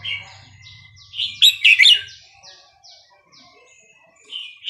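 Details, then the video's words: Red-whiskered bulbul singing a Burmese-style song, played to teach young birds and excite listening birds. Loud burst of bright warbled notes mid-clip, surrounded by softer sliding whistles and a low hum. "นกกรงหัวจุกเพลงถิ่นพม่า 3-4-5-6 เปิดสอนลูกนก ยั้วนกฟังนกคึก"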